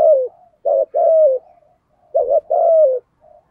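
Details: Spotted dove with a deep 'giọng thổ' voice: a falling tail of one coo, then two full phrases, each a stuttering double note followed by a long, smoothly falling hoot, with soft faint notes in the gaps.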